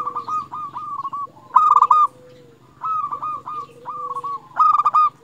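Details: Lure song of a local zebra dove for prompting other zebra doves: bubbling series of short hooked coos, several louder stuttered bursts, and a long low note, against a constant low hum.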